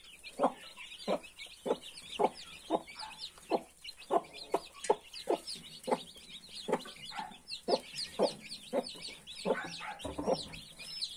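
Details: Broody hen among her 31 newborn chicks, giving low, abrupt clucks repeated roughly every half second while the chicks keep up a dense chorus of thin, high, looping peeps.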